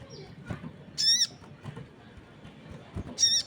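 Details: Crested jay calling very actively while other birds join in: two short, harsh, strongly harmonic squawks about a quarter second long, the second near the end, over a quiet rustling background.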